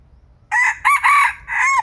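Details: Young red junglefowl cockerel, a feisty decoy bird used in junglefowl trapping in Thailand, gives a loud broken crow in four bursts, the last drawn out and falling, against a quiet low rumble.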